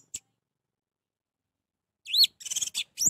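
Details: Orange-headed thrush singing in a recording meant to prompt a silent bird to sing; after a single short note and a long pause comes a quick phrase of rising whistles and dense chattering notes.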